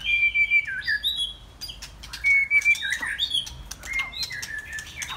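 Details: White-rumped shama singing on a Saturday afternoon: three separate phrases, each opening with a clear level whistle and dropping into a lower slur, set apart by crisp clicking notes and short gaps.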